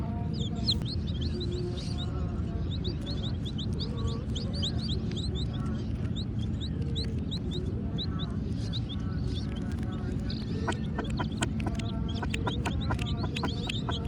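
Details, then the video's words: Black and white chicks peeping, with high, quick, descending notes in a crowded chorus during the first half, then a rapid series of sharp tapping clicks, over a low continuous rumble. "Baby Murgi Chicks Chirping Sounds"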